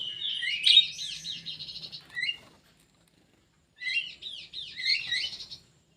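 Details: Kidangan kaso kaso bird in an aviary delivering two bursts of fast, high, looping whistled notes, strong and ringing, separated by a pause of about a second.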